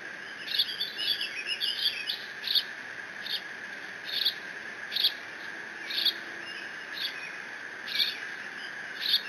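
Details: Lone bald eagle eaglet in the Decorah nest on a live nest camera, 30 June 2017, mantling a fish just brought by its father and squeeing: a busy run of high, thin, squeaky notes, then evenly spaced short squeaks over a constant hum.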